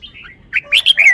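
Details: Caged red-whiskered bulbul showing off its song style in the forest-song manner, loud and far-carrying: a thin whistled phrase, then a quick run of bright, rising and falling whistled notes, clean and close with no other sounds.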